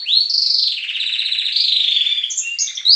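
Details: Canary song in the morning among chicks and adults in captivity: a rising sweep into a long, even buzzy trill that slowly descends, ending in bright chirps.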